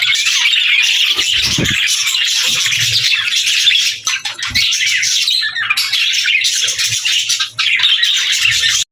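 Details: Budgerigars kept as pets chatter nonstop, a thick wash of high twittering and squeaky chirps from several birds at once, dipping briefly near the middle and again toward the end before resuming.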